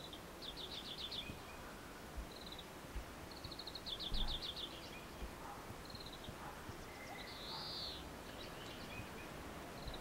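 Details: A male Oriental greenfinch, twittering while side-stepping along an electric cable in Japan in early May 2014, sings bursts of quick, high twittering trills several seconds apart and one drawn-out nasal wheeze, over a steady low rumble.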